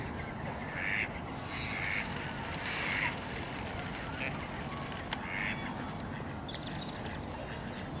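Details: A gadwall at Slimbridge gives short, nasal, rasping notes every second or so over a steady rushing background, with a possible murmur of voices.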